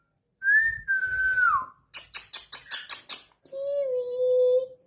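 An Indian ringneck parakeet gives a gliding, falling whistle, then a burst of about seven quick harsh chattering notes, and ends on a steady low whistle.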